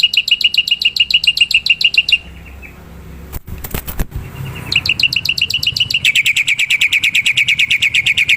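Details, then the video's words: Wild black-winged myna, a lure recording: rapid repeated sharp chirps, a pause broken by loud clattering thumps, then the chirping resumes and speeds into a dense bright trill. "Suara burung jalak putih"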